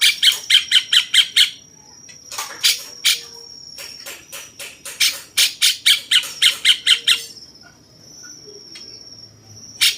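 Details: Cucak cungkok bulbul, 'rasa jenggot' style, kept as a training master for contest birds: a fast run of rasping chips, then a pause, then long rapid series of harsh notes roughly twice per second, with a thin high tone behind.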